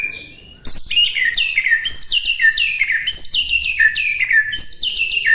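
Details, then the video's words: White-rumped shama master song meant for birds to imitate: after a soft opening whistle, a fast run of repeated sharp, descending chip-whistles, about three each second, bright and high. "MASTERAN MURAI BATU MUDAH DI TIRU AUTO LANGSUNG LATAH"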